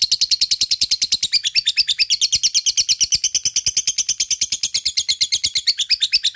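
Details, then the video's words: Lovebird song used to lure and stimulate lazy or beginner lovebirds to sing, a fighter lovebird with long ngekek chatter: a rapid, steady string of shrill, buzzy notes, about three per second, continuous and loud throughout. "Sangat bagus untuk pancing love bird malas bunyi,lovebird fighter ngekek gacor di jamin nyaut"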